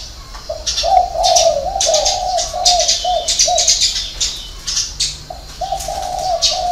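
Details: Deep, rounded coos of a spotted dove in the six-note hậu 3 style, repeated in two phrase groups. Frequent bright chirps and twitters from other birds are mixed in above.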